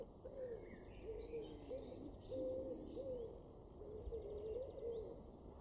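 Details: Common wood pigeon (Columba palumbus) in a garden in Weener, East Frisia, northwest Germany, June 2022, giving soft, hollow cooing in a steady rhythmic phrase, with faint high insect buzzing and distant bird chirps.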